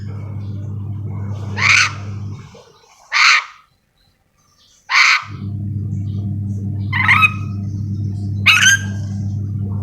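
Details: Yellow-and-green lorikeet, called nuri dora and endemic to Sulawesi, uttering five harsh squawks in slightly uneven rhythm, with a low steady hum dropping away midway and returning.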